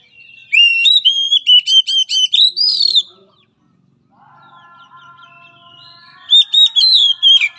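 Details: Oriental magpie-robin song used to train a timid, weak-spirited bird: repeated looping whistled notes, a quiet gap with soft harmonic tones, then the looping whistles return.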